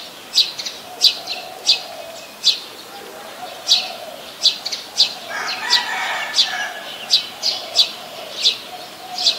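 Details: Sharp high chips from a brown-throated sunbird in Ubon Ratchathani, Thailand, 13 January 2021, coming fast and uneven, about one and a half per second, with a brief softer warbling passage midway.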